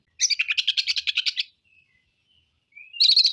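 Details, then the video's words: Oriental magpie-robin singing hard, showing off its repertoire of learned phrases. A long, fast chatter of about fifteen scratchy pulses is followed by faint, thin whistles, then a loud, high, buzzy burst at the end. "KACER BONGKAR ISIAN. KACER GACOR"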